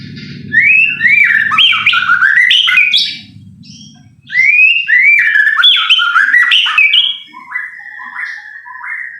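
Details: White-rumped shama song used as a lure to make other shamas sing: loud, clear whistled phrases sliding up and down, given in two bursts with a short pause between them. A low rumbling hum is audible underneath during the first three seconds.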